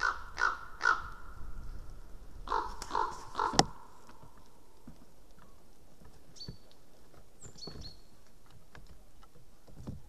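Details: Common raven visiting a White-tailed eagle nest webcam in Estonia on 11 March 2017 at 09:41 gives two bursts of three harsh, hoarse croaks, then falls quiet; a distant eagle calls faintly later.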